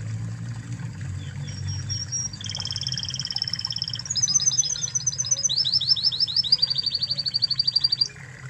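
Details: Master song of a Spanish Timbrado canary from Spain: soft high notes, a smooth sustained trill, then fast repeated high chips building into rapid sweeping trills, ending abruptly; faint low hum throughout.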